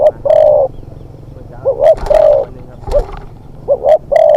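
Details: Spotted dove used as a decoy for hunting, a young bird in its second training, giving low cooing phrases of short notes and long coos, with some faint knocks and background noise.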